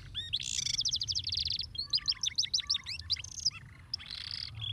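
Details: Canary song used to stimulate other canaries to sing: fast, rich bursts of high trills, rapid repeated notes and sweeping chirps in quick succession, with a faint low background hum.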